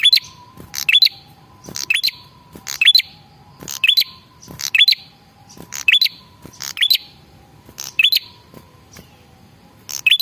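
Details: Lure call of a male red-headed prinia, meant to draw replies from other prinias: clusters of high, buzzy, rising chirps about every second, over a quiet background with a faint constant tone.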